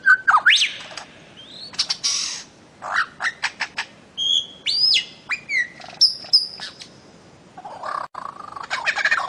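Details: Bird-of-paradise vocalizing in a recording meant for tutoring songbirds, tagged Papua and Maluku: a jumble of rising and falling whistled slurs, clipped chirps and squawky notes, followed by a low rough chatter before a final burst of high notes.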